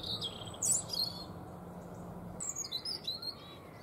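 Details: European robin giving thin, high, sweet warbled phrases with quick twittering notes in two bursts, over a steady low rumble of background noise.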